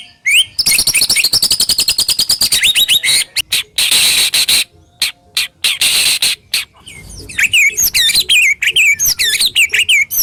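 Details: White-rumped shama (murai batu) kept in captivity with a coarse sharp song meant to stimulate shamas: very dense, high rattling and hissing bursts, ending in looping whistled notes.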